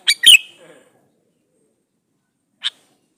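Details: Male sooty-headed bulbul calling a female, used as a lure to make other bulbuls answer: one quick three-note phrase of bright, slurred chirps, the last note loudest and dropping. A single short chirp follows after a long silence.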